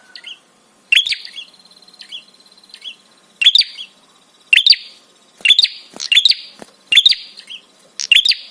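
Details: Prinia therapy call to make other birds respond and become aroused: soft opening notes build into a regular run of loud, sharp, stuttered high chirps roughly every second.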